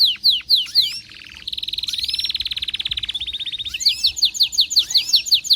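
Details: An excited canary sings a few falling whistles, a soft buzzy pause, then a long rapid pulsing trill lasting about two seconds, before returning to loud, quickly repeated descending whistled sweeps with upper overtones.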